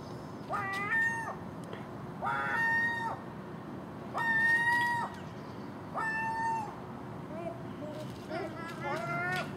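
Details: Common gulls make a racket over garbage at a house in the early morning, a magpie and crow nearby; five long, ringing, harmonic cries come roughly every two seconds, ending in a shorter broken, stuttering call.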